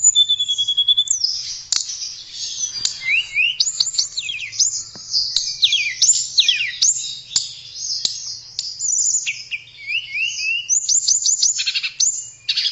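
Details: Melodious song of a blue flycatcher (tledekan), a dense run of high twittering, downslurred whistles and brief trilled phrases pouring out almost without pause.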